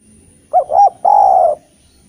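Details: Eurasian collared dove, a lively singer used to coax reluctant spotted doves into singing, gives one low hollow coo phrase: two short clipped notes, then a long drawn-out note.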